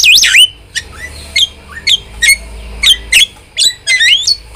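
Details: Starling in lively chattering song, meant as a tutor and trigger recording for kept starlings: a loud opening swooping whistle, then short sharp squawks and rising whistled notes spaced about every half second, with faint low hum beneath.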